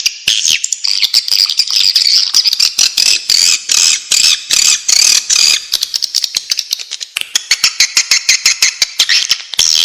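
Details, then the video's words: Swiftlet calls from nature, commonly played by swiftlet hunters: dense series of shrill buzzy notes, then toward the end fast rattling click trains dominate over the chirps. "suara panggilan burung walet suara asli dari alam"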